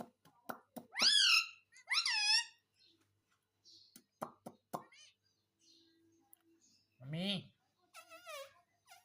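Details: Pet parrot said to be talking, saying "Mummy Papa"; two loud harsh rising squawks early on, scattered clicks and taps, a short low voice-like sound near the end, then a few fainter wavering calls.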